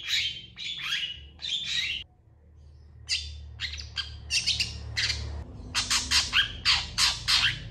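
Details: Long-tailed shrike in full, lively song answered by other shrikes: buzzy rasping phrases, a short pause, then a quickening series of sharp scratchy notes about three per second.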